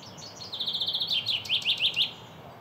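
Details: A male common chaffinch (Fringilla coelebs) sings a bright, quick song: a rapid trill of high notes tumbling downward into emphatic falling phrases, lasting under two seconds.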